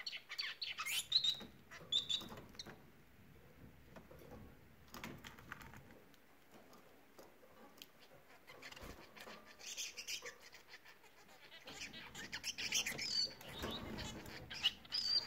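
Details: Bengalese finches singing: brief bursts of high, buzzy, rattling notes near the start and again toward the end, separated by a quieter stretch with soft low background rumble.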